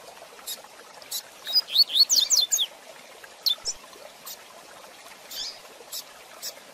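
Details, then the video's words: High, rapid whistled sweeps from a coleiro (double-collared seedeater) form a single tight Tui Tui Zel Zel phrase in this fast training song. Scattered short chips trail off afterward. "Tui Tui Zel Zel de Fibra Canato Rápido Para Treinamento e Encarte - Coleiro Professor Aprendizado"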